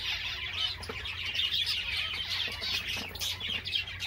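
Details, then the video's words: Java sparrows giving a steady stream of soft, high chirps and warbled notes, layered into a constant chatter with occasional clicks and a low background hum. "Most Beautiful Java Songs Ever"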